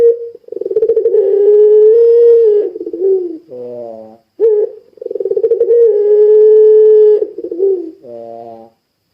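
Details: Puter pelung Barbary dove cooing vigorously, used as a lure to set other doves calling: two long drawn-out steady coos, each opened by rapid pulsed notes and closed by a lower throaty falling note, with a short gap between.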